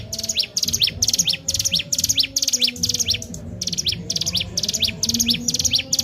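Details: Sunda warbler (ciblek gunung), a lively singer used as a lure to rouse other birds, giving high, bright chirping phrases about twice a second, each with a quick rising sweep, over a low background hum.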